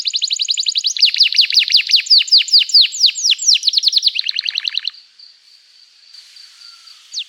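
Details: Long, energetic canary song played to train young birds to sing: rapid descending chirps repeated several per second, layered with high trills, fading into a faint sustained high whistle and a final downward note.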